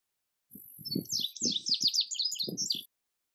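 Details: Indigo bunting song, male: bright, high, sharp notes in quick pairs for over two seconds over low thumping and rumbling noise bursts.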